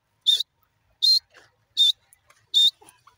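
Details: Young grey francolin giving four short, high, thin whistled notes, evenly spaced about three-quarters of a second apart, with faint soft rustles and clicks between them.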